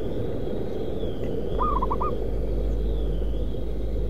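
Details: Trapped zebra dove in a concrete pipe and paving factory area at Kudus, Central Java, giving one short stuttering coo of three or four quick mid-pitched notes, under loud steady engine-like rumble.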